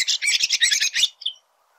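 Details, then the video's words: Red-throated thrush (Turdus ruficollis) singing in nature, giving about a second of loud, harsh, scratchy twittering in quick pulses, then one brief thin note before falling silent. "Red Thrush Singing.(Turdus ruficollis)."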